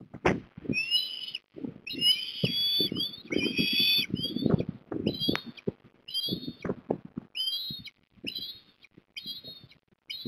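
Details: Osprey family at their nest, Port Lincoln, Australia, 3 December 2021: repeated short, high whistled calls, some drawn out and sliding, others clipped and chirpy, coming in bursts across ten seconds amid thumps and rustling.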